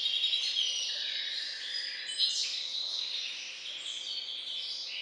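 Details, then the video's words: Hybrid finch bred from the Balkan goldfinch subspecies, singing a long, continuous, rapid warble. Twittering trills and chirps run without pause, with short pure whistles woven through the dense, high-pitched stream. "Śpiew bastarda po C.c. Balcanika III"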